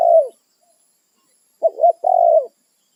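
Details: Wild spotted dove calling its companions on its territory: end of one long coo, a pause, then a full phrase of two quick rising-falling coos and a drawn-out descending coo.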